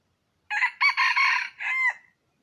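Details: Red junglefowl crow from a wild rooster, used as a lure call to bring wild chickens in, recorded 23 April 2023: brief harsh note, a long loud hoarse middle syllable, then a falling drawn-out final note, no other sounds.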